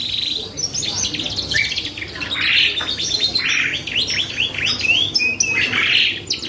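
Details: Energetic canary song used to coax other birds to respond: rapid rolling trills mixed with rising and falling whistles, a few longer sweet notes and buzzy bursts, all high-pitched and continuous.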